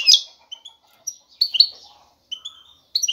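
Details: Excited male European goldfinch calling to a female for mating: a sharp buzzy opening note followed by scattered short twittering chirps and gaps of silence.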